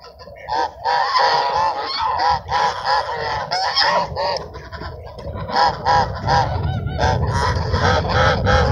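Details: Ducks being fed at Sunset Park at sunset, 10-10-17: a busy flock gives loud, nasal, honking calls in quick overlapping bursts, several per second with short pauses, over low rumbling wind or traffic.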